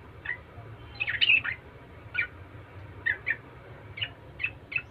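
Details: Yellow-vented bulbul singing in a lively, repetitive style meant to draw replies from other bulbuls: a series of short, clipped chirps, some in quick pairs and a busier burst early, spaced unevenly over a low background hum.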